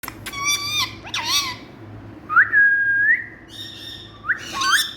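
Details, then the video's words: Talking Indian rose-ringed parakeet giving a run of clear whistled notes. Short rising and falling tones with bright harmonics come in bursts, followed by a long level whistle that rises at its end. A low steady hum sits underneath. "Talking Indian Parrot🥀Miya Mithuu Bety Bolny wala Bird"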